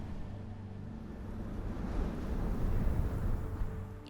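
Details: Low rumbling engine-like noise with a sharp thump at the end; no animal voice stands out.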